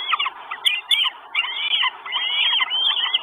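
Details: Four Northern goshawk nestlings in Estonia demanding food, 1 June 2022, live nest camera; stuttering high squeals, then longer sliding whistles running together, with a couple of sharp clicks.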